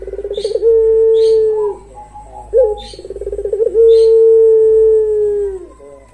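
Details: Barbary dove giving a long coo: a quick stuttering run of notes, then a steady, low coo held about two seconds, twice over; faint high chirps sound behind.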